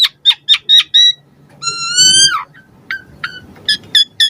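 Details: Asian pied starling song for luring captive starlings to sing: a string of short clipped whistles at about four per second, a long rich descending whistle, then more brief sharp notes over faint background rumble.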